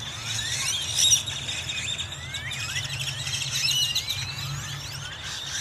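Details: Flock of blackbirds taking over a Wal-Mart in Dallas on Halloween, 31 October 2022: many overlapping rising, squealing whistles over a steady low traffic hum.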